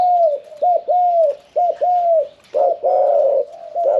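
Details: Medium-voiced caged spotted dove, a 'khan yon 1 kuk' singer never yet entered in a contest pen, delivering a close run of clear, falling coos in quick groups, the last notes fuller and buzzier.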